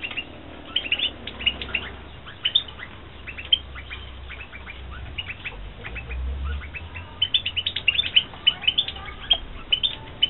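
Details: Captive European goldfinches kept for breeding in 2016 give sparse high chirps at first, then denser runs of rapid twittering notes toward the end, over low rumbling background noise.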